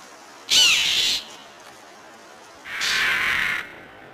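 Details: A northern mockingbird dive-bombing a tabby cat gives two harsh, raspy, hissing scolds of under a second each, separated by a pause of about one and a half seconds, over a quiet background.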